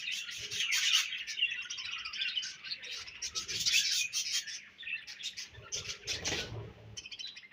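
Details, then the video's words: Budgerigars chirping in a continuous scratchy warble, rapid high twitters and chatter overlapping, with a few soft low thumps beneath. "Budgies Chirping Sounds"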